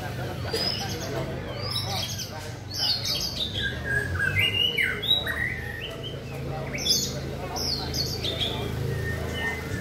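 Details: White-rumped shama singing in a rhythmic style: a varied run of clear whistled phrases, quick upward and downward slurs and short chirps, high and bright, over a low steady background rumble.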